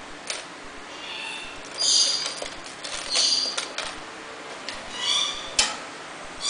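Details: Bathing rainbow lorikeet giving short, harsh, grating squawks spaced about a second apart, mixed with light clicking and splashing ticks. One sharp snap stands out near the end.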